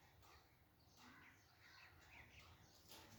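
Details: Caged green Alexandrine parakeet, active and in a playful, jolly mood, giving harsh, raspy squawks with layered bands, several in quick succession over a few seconds, with a steady background hiss.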